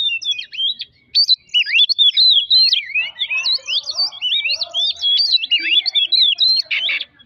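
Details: Oriental magpie-robin song used as a lure to provoke singing: an energetic, unbroken chain of sharp whistled slurs and twisting phrases, with faint lower chatter in the middle.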